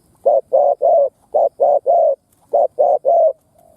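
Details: Decoy spotted dove cooing in the 'thúc' and 'gù' styles, used to stir up and lure wild doves: nine low, hoarse coos in three quick triplets, the third note of each group drawn out, in a quiet setting.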